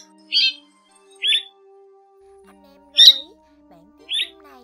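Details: Striated swallow calling its flock, played to lure birds into nets and glue traps. Four brief rasping chirps spaced about a second apart sit over a quiet, constant low background tone.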